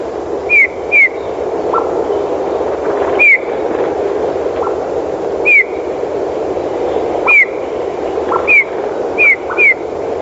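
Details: Eurasian Bullfinch singing in winter, giving about eight soft, mellow, downslurred piping whistles, singly or in close pairs at uneven intervals, over a steady low background hiss.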